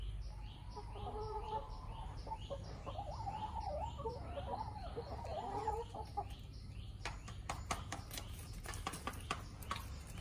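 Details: Backyard rooster in Kerala giving a drawn-out, harmonic, wavering call lasting several seconds, while other small birds chirp in a steady repeated rhythm behind it and sharp clicks sound near the end.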